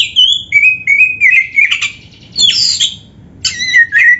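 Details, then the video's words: Oriental magpie-robin in full, vigorous song packed with filler phrases: clear whistled notes sliding up and down, harsh rasping bursts and short pauses between phrases. "Kacer gacor full isian RAPET"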